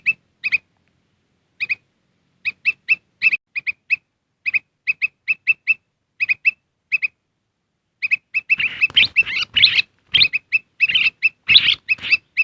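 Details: Wild-bird lure of a Black-crested bulbul: paired crisp chirps repeated at irregular intervals for about eight seconds, then a busier, harsher stretch of overlapping chattering notes.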